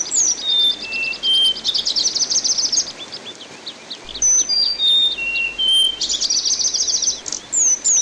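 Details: Orange-headed thrush tutor recording with water sounds: a varied, high-pitched medley of clear whistles, downslurred notes and fast buzzy trills, phrases tumbling one after another with brief gaps.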